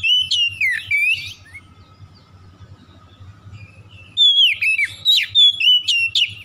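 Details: Oriental magpie-robin song as a lure for silent magpie-robins: opening run of sweeping whistles, a long quiet stretch with steady hum, then a loud burst of rapid rising and falling whistled notes.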